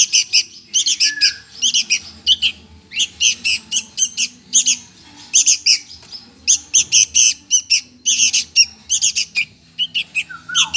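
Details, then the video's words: Sooty-headed bulbul chick begging for food, harsh squawking bursts in quick clusters throughout, with a few brief lower whistled notes near the start and end. "MINTA MAKAN ANAK BURUNG KUTILANG"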